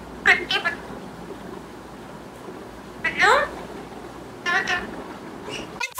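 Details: Pet green parrot talking: three short, bright, speech-like bursts near the start, middle and end, each a quick warbling run of rising and falling voiced syllables, separated by quiet pauses with low background hum.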